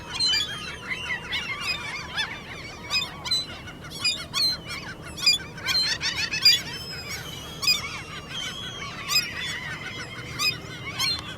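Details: A chorus of common gulls squeaks during the mating season as a begging display. The high squeals are mostly faint and crowded, with louder bursts rising every second or so.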